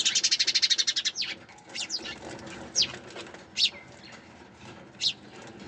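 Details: A fast series of sharp sparrow chips opens, then slows into scattered single downslurred chirps spaced about a second apart over a soft steady background.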